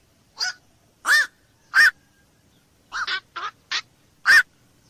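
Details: Black-crowned night heron uttering gruff, hoarse squawks, single barks alternating with a quick double note and a clipped triple, about eight calls in five seconds, with nothing else audible.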